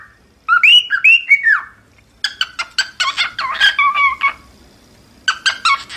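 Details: Cockatiel song, offered as a model for teaching a cockatiel to sing: two short rising-falling whistled phrases, then a busy run of sharp chirps and warbled notes, ending with a burst of quick chips.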